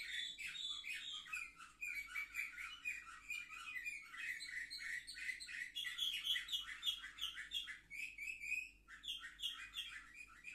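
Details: Young Orpheus canaries, seven months old and hatched in 2023, filmed on 10 November 2023, sing a long, continuous, busy song of rapid chirps, trills and twittering phrases that carries on without a break.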